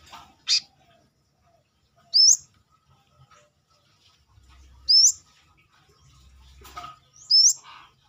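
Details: Brown-throated sunbird, known locally as kolibri kelapa or manggar, singing actively outside its cage: sharp, high, upslurred notes given singly at irregular gaps of one to two seconds, with faint low background rumble.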